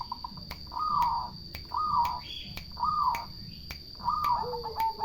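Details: Turtle dove song: four rolling, purring mid-pitched notes, each about half a second long and repeated roughly once a second, with sharp regular clicks throughout and a faint low hum underneath.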